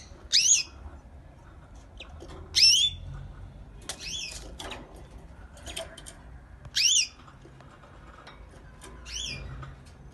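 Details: Pet canary singing in the morning, giving short bright trilled bursts of rapid slurred whistles every two to four seconds, about six phrases in all, with quiet faint chirps and soft room noise between them.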